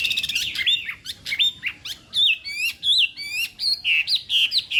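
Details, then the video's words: Morning song of a contest-trained Chinese hwamei: rapid harsh stuttered notes at first, then a steady sequence of loud, clear whistles, each sliding upward and hooking, about one per half second. "Hoạ Mi Hót Đấu /hoạ mi hót sáng luyện giọng kich bổi sổ giọng chim hót hay mỗi ngày/"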